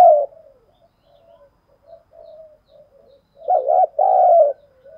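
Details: Decoy spotted dove ('thổ' voice) luring wild doves: a loud note cut off at the start, a string of soft scattered coos, then a loud wavering note and a long steady coo.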